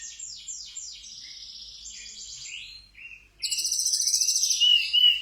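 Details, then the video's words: Mountain tledekan with sikatan londo mimicry, a training master recording; descending slurred whistles and a long buzzy trill, then after a brief pause a loud, fast, pulsing high rattle. "Tledekan gunung isian sikatan londo"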